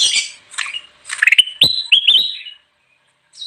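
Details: Ruby-throated bulbul, a lure song for wild birds: harsh chattering notes give way to a string of ringing, rising whistles with sharp clicks, then a pause.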